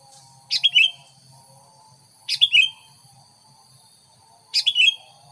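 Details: Sooty-headed bulbul used as a lure to attract curious wild bulbuls; short bright chirped phrases of two or three quick notes, repeated about every two seconds over a steady high hum and faint low background noise.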